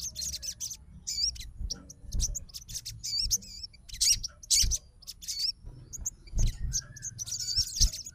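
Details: A fighter Crimson sunbird replying to a rival's song gives broken, high, twisting notes and sharp chips spread across the passage, with low rumbling noise beneath.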